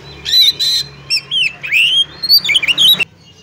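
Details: Oriental magpie-robin female calling to a male to get it singing. Two rasping bursts lead into a chain of sliding whistles, including a long upward slur and fast warbled notes, then an abrupt stop.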